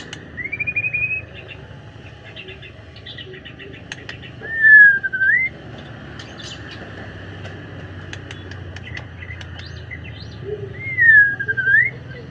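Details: White-rumped shama in afternoon song: three loud whistled phrases several seconds apart, one rising and held, the others swooping down then up, separated by quiet stretches with soft ticking and a distant low rumble.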